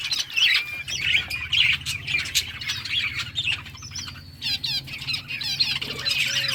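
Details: Summer breeding colony of budgerigars chirping while playing, continuous warbling chatter with looping whistled notes and squawks from many birds, low hum beneath.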